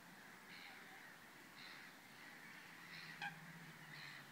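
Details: Black-winged stilt calling at the Vrbenské fishponds, České Budějovice, Czech Republic, on 11 June 2016; four short, harsh, nasal yelps spaced about a second apart, plus one sharp click, against a constant hiss.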